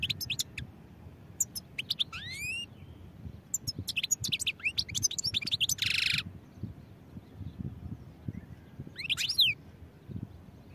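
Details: European goldfinch singing: bursts of high, quick twittering notes and sharp up-and-down sweeps, with a brief loud buzzy rasp near the middle and scattered pauses between phrases.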